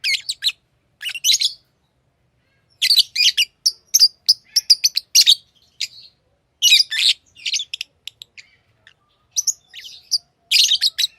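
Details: Pet lovebirds in lively chatter: rapid, dense bursts of shrill, buzzy chirps and twitters with brief pauses between the runs.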